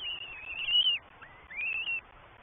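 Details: A Northern goshawk chick begging at a New Forest nest camera on 20 May 2023, while parents feed three young. Two loud, drawn-out whistled squeals, the first long and wavering, the second shorter and slightly rising.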